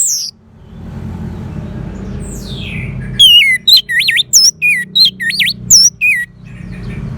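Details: Orange-headed thrush song. After a few falling slurred whistles, it launches into a quick sequence of loud, twisting whistled notes that jump up and down in pitch, about three per second, over a faint low hum.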